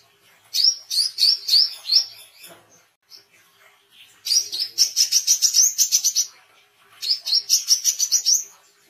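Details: Oriental white-eye, vigorous singing for tutoring and luring: three runs of high, rapid chirps, the middle run longest and running into a fast, thin trill, with short silent pauses between.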